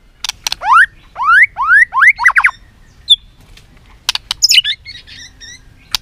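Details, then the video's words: White-rumped shama fighting song, meant to excite a bird into combative singing: a run of six upward-sweeping whistled notes in quick succession, then sharp clicks and a burst of high chirps. "Luyện giọng chòe Lửa hót đấu"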